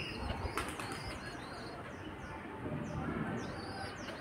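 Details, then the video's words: Young pigeons pester their mother for food, giving thin, high, down-slurred squeaks in quick succession, mixed with wing flapping and soft rustling. "कबूतर के बच्चे अपनी मां को नोच रहे हैं | The dove is suffering to feed the babies"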